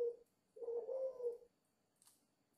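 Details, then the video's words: Five-month-old dove cooing vigorously: a short low note, a brief pause, then a longer rolling low coo lasting about a second, ending in quiet with a faint click. "chim cu 5 tháng gù hơi máu lửa"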